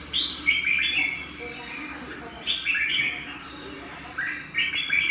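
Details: Songbird giving repeated whistled phrases, bright slurred notes rising and falling, a burst roughly every two seconds with short gaps between, steady faint hiss underneath.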